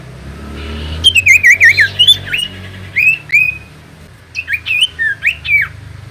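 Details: Common iora song, used as a lure to make reluctant birds sing: loud, clear whistled phrases around the upper-middle range, wavering up and down in quick rolling notes, with downslurred ends; low hum beneath.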